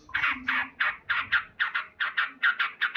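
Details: Loud morning song of a male Sooty-headed bulbul: rich, slightly harsh chuckling notes spaced about three per second, some paired, over a quiet low rumble.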